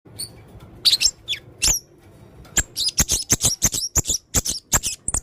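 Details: Male blue-crowned hanging parrot singing actively in full 'isian' style: sharp high chirps and clicks, first spaced, then a dense run of rapid sharp notes over the last two seconds, with faint low background hum.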